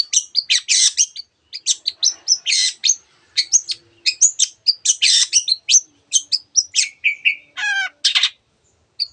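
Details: Long-tailed shrike song, a rapid run of varied sharp chirps, trills and whistled notes in short bursts with brief pauses, including a quick descending ladder-like trill near the end.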